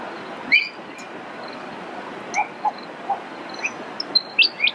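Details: Brown honeyeater (Lichmera indistincta) at Eurong Beach Resort, Fraser Island, Queensland, Australia, 20 December 2012, giving short, clear whistled notes and chirps at scattered pitches, some high and sharp, some lower and mellow, over a steady background hiss.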